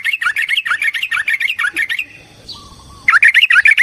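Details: Brisk, throaty chatter of a yellow-vented bulbul in fighting song, used as a lure for other bulbuls. Dense quick notes stop for about a second, then start again just as rapidly.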